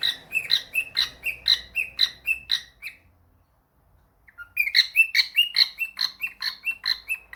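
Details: Pet cockatiel answering a phone call: rapid repeated chirps, about two or three a second, pause for over a second, then resume in a similar chirping run.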